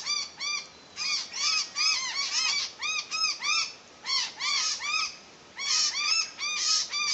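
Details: A noisy miner (Manorina melanocephala) gives loud, ringing, arched notes in quick bursts of two to five, with brief pauses between groups.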